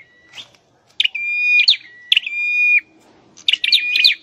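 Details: Caged scarlet-headed flowerpecker, a species endemic to Indonesia, in song training: three phrases, each a sharp chirp burst opening into a long, steady, level whistle of about a second, with a low hum in between.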